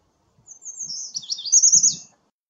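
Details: American redstart song, a drawn-out high phrase of thin hurried notes that grows louder toward its slurred end, with faint low rustling beneath.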